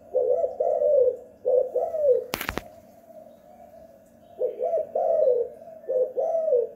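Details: Spotted dove calling energetically at home, giving two bouts of low, mellow arched coos separated by a pause, with a brief loud clattering noise in between.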